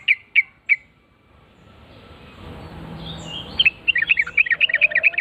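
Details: Yellow-vented bulbul answering right after hearing a lure call: three sharp bright chirps at the start, a quiet gap with low rumble, then a fast bubbly run of short warbled notes in the last second and a half.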